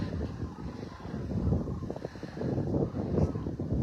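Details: Rumbling wind buffeting the microphone with low, surging noise throughout and no animal call.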